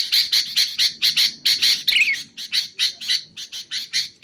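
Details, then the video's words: Sooty-headed bulbul, used to lure and train birds: loud harsh chirps in a fast regular series, roughly two per second, with one twisting rising note in the middle. "BURUNG KUTILANG untuk ocehan mantab"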